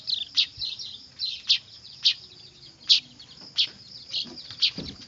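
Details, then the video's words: Clamouring weaver (manyar) nestlings whose calls serve as a lure for trapping birds: shrill squeaky chirps, single or doubled, repeated about every half second above a steady high ringing tone. "Suara anakan burung manyar ribut cocok buat pikat"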